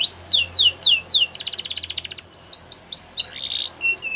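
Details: Belgian canary singing for training young birds: repeated sweeping whistled notes, then a fast buzzy rattle, then more rising slurs and a short burbling phrase with brief pauses.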